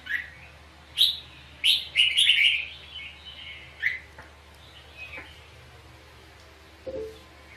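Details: Red-whiskered bulbul in a fighting duel-song session near a trap. A burst of clear, chirpy whistled notes fades into softer, thinner notes, then near silence with a low knock near the end.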